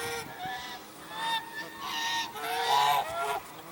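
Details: Several African geese honking at Jordan Valley on January 19, 2021: overlapping nasal, harmonic-rich honks in a continuous chorus, with louder bursts toward the end.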